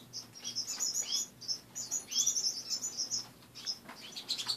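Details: Morning chatter of caged pet finches: quick high chirps in clusters, some slurred downward notes, several birds calling at once over a faint low hum.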